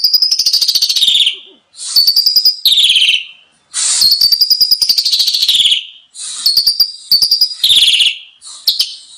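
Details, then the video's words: Asian pied starling song used as a training recording, said to be full of rich varied phrases: loud harsh buzzy bursts with rasping harmonics, separated by short pauses, some ending in falling notes. "masteran jalak suren 1 menit langsung ikut bunyi ful isian mewah"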